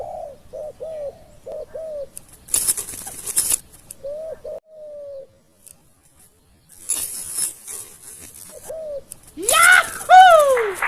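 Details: Spotted dove calling during decoy luring of wild doves, the wild bird arriving late and having a small voice: short low coos in quick groups, one drawn-out coo, loud rustling noise bursts, and a louder rising, whooping call near the end.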